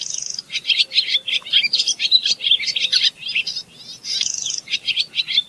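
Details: Rapid chattering song of a barn swallow, many short high notes strung together, with occasional drawn-out buzzy trills.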